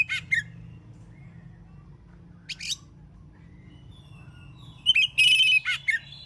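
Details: Oriental magpie-robin singing in the morning in ngeplong style to get other magpie-robins answering: scattered short sharp notes, then a loud ringing whistled phrase with trailing chips near the end, over a faint low hum.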